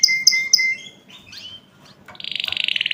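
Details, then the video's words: Canary song played for other birds to hear: three short bright whistled notes, a pause with soft scratchy twitters, then a fast, even, pulsing trill held near the end. "أقوى تغريد كناري لتسميع الطيور"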